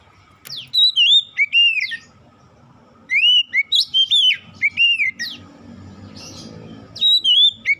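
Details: Oriental magpie-robin song used to prompt other magpie-robins into singing: loud, clear whistled phrases with sliding, rising and falling notes in bursts, sharp downward-swept notes between, and a low background hum.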